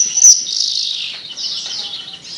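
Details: Melodious Javan bush lark: an unbroken stream of dense, high, buzzy warbling with a brief sharp whistle near the start.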